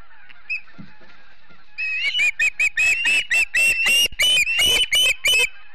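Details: Osprey of a Montana family at the Charlo nest, wild, live-streamed by nest camera on a September morning, 2016: after a quiet start, a run of about fifteen sharp, whistled chirps, roughly four per second, slightly upslurred and steady in pitch.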